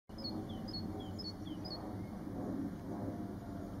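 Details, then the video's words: White-faced whistling ducks on a farm in 2019, giving thin, high, descending whistled notes in quick pairs, repeated several times over a steady low rumbling background noise. "White Faced Whistling ducks"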